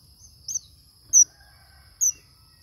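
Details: Male red avadavat (manh manh) calling: three sharp, very high chirps spaced under a second apart, over a faint low rumble and a steady high electrical whine.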